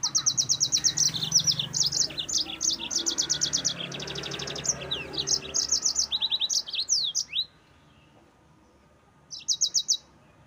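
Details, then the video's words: Yellow-fronted canary in long, lively song meant to rouse rival birds: fast rattling trills of repeated high notes mixed with sweeping chirps for seven seconds, then silence and a brief final trill. "Mozambik Gacor NGEROL Terbaik untuk Pancingan bikin Lawan Naik Emosi"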